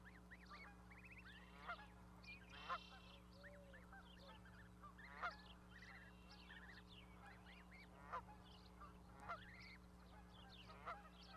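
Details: A goose with its goslings on an osprey nest platform, Charlo, Montana, May 12, 2020; repeated short honks at irregular intervals through a dense chorus of chirping and whistling small birds, over a low hum.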